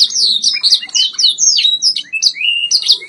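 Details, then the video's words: A white Yorkshire canary on a song-training recording sings a fast, unbroken run of bright, high chirps and sliding whistles, several notes each second, over a faint low hum. "White Yorkshire Canary Singing"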